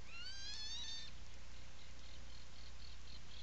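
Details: Burrow camera at Seal Island National Wildlife Refuge, Maine, 17 July 2018, afternoon: an Atlantic puffin utters one quick rising, meow-like wail of about a second, followed by a series of faint short high notes in the background over low hum.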